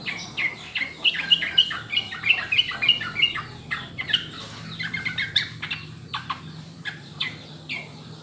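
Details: Sooty-headed bulbul song for training caged birds to sing quickly: rapid chattering series of bright, clear whistled notes, dense at first then looser, with a steady low hum beneath.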